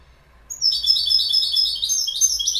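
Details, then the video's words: Goldfinch song starting after a brief silence: a sustained, rapid stream of high, tinkling and slightly buzzy twittered notes that carries on without pause to the end. "Goldfinch Bird Sound"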